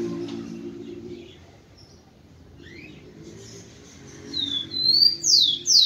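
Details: Male rufous-collared sparrow heated up to stimulate females: faint scattered chirps and a low hum at first, then near the end two high whistles and loud, steeply falling slurred notes of the song.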